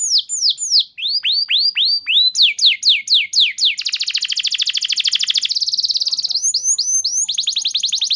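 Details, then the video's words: Canary singing a long lure song for training, repeated descending slurred whistles giving way to a long, very fast buzzy trill and more high trills. "Terapi Burung Kenari Cepat Bunyi Gacor Dengan Suara Pancingan Kenari Gacor Nembak Panjang Ini"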